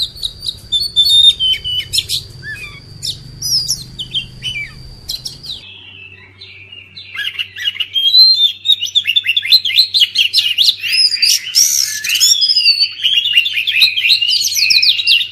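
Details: Oriental magpie-robin song played to make silent birds sing: an opening section where a steady high tone and low hum mask sparse notes, followed by a long, dense burst of scratchy, rapid whistles and chatter.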